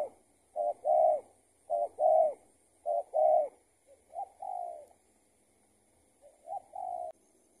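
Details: Escaped tethered spotted dove encountered while trapping with a decoy: soft, hollow coo phrases of a short note followed by a longer rolling one, three quick bursts, then quieter, more drawn-out coos after a pause.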